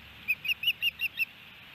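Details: Osprey at a nest in Hellgate Canyon, Missoula, Montana, on June 8, 2018, as the male feeds his chicks. Six short, bright chirped notes follow one another about every fifth of a second over a quiet, steady background hiss.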